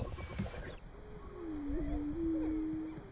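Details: Greater prairie-chickens at a lek in Nebraska in March, males displaying and defending territories: a steady low hollow moan holds one pitch for over two seconds after a brief noisy start, with a faint whoop above.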